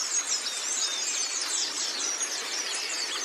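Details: Oriental white-eye training recording used to teach birds to sing: a dense, continuous wash of high, thin twittering chirps from overlapping voices, with rapid short notes and brief whistled slurs and no pauses.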